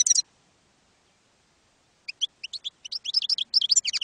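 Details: European goldfinch campero-style song used to train young goldfinches: a brief twitter, nearly two seconds of silence, then bright separate chirps quickening into a fast liquid run of varied notes.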